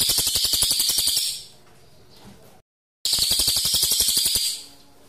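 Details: Pygmy bushtit (cililin) giving lively 'ngerol' rolling song for tutoring magpie-robins: two bursts of sharp, very high, rapidly repeated pulses, each about one and a half seconds long, separated by brief quiet.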